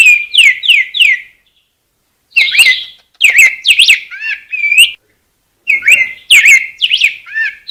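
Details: Rose-breasted grosbeak song: three quick matching whistled notes, then looping, warbling phrases in bursts broken by short silences.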